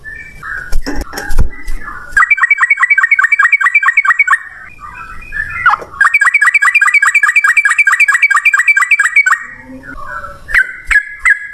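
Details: Sooty-headed bulbul in the 'ropel ngalas' style, a lure to make bulbuls answer: two long, very fast trilled runs of clipped whistled notes, separated by a brief pause with scattered clicks and handling noise.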